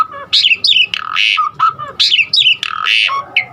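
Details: Asian pied starling singing a varied song full of imitated fill-in phrases, used to get other starlings singing: alternating low whistles and bright, squeaky, slurred phrases in short bursts, with some harsh squawky notes.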